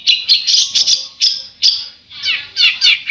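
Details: A bird sings in the besetan style, with sharp grating buzzy notes in uneven bursts, followed by quick downward-slurred raspy phrases near the end.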